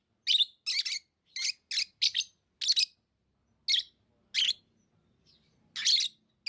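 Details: Lovebirds chirping: a fast string of piercing, grating notes, then scattered single chirps and a closing doubled burst.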